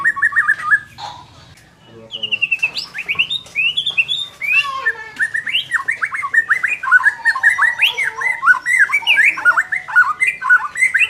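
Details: Caged white-rumped shama singing, a song played to make a less aggressive bird more competitive: varied whistled phrases and rapid chattering notes at a fast pace, after a brief quiet gap near the start.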